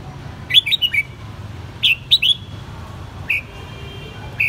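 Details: A captive red-whiskered bulbul, raised from the white-cheeked juvenile stage, sings short clusters of loud, slurred whistled notes, three or four per phrase, with brief pauses between phrases and a faint low hum behind.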